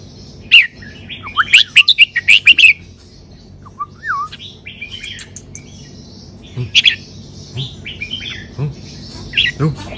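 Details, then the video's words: Red-whiskered bulbul singing in the 'sai beun' double-note style: a dense string of punchy, bubbling whistles, then a gliding wavy whistle and scattered chirpy notes continuing to the end. "นกกรงหัวจุก สายเบิ้ล สำนวนเพราะๆ"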